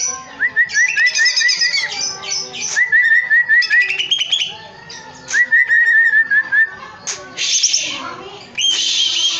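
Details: Greater green leafbird in a cage, singing energetically: runs of quick repeated whistled notes on one pitch, rising slurs, and harsh scratchy bursts mixed in, with phrases tumbling one after another.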